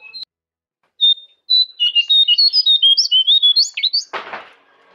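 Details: Jongkangan singing for a master track aimed at caged birds: one high note, a pause, then a rapid, varied series of sharp whistled chirps ending in a broad rasping burst.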